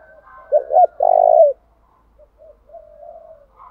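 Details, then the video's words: Spotted dove acting as a decoy to stimulate wild birds: one loud cooing phrase near the start, two brief notes then a long rough coo, followed by soft, intermittent low coos. "Tiếng chim cu gáy thúc bảo đảm bổi nghe gáy liền, chim cu gáy mồi đảo bài liên tục"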